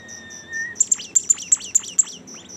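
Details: Bimoli bird singing: a thin steady whistle, then a fast run of seven loud, sharp notes that each drop steeply from very high to mid pitch, over a constant rapid insect-like pulsing in the background.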